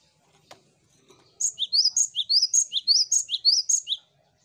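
A tit sings a bright, rapid phrase of three high whistled notes stepping downward, repeated about four times in quick succession; a faint tick precedes it.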